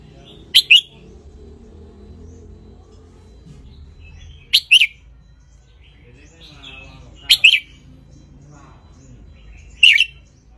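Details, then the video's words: Wild Ratchaburi red-whiskered bulbul basking in the sun, recorded as a tutor song for teaching young birds. Four brief, bright chirped notes about every three seconds, each a quick double burst, over a quiet background. "นกกรงหัวจุกราชบุรีป่าตากแดด เปิดสอนลูก ยั้วนกฟังนกร้องตาม"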